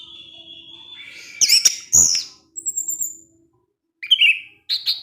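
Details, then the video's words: Orange-headed thrush kept in a cage, singing ngecip ngecis: a steady high whistle, then sharp chipping bursts, a thin descending whistle, and two short whistled phrases after a pause. "ANIS MERAH SUSAH BUNYI PASTI NGEPLONG DENGAR SUARA NGECIP NGECIS TELER INI"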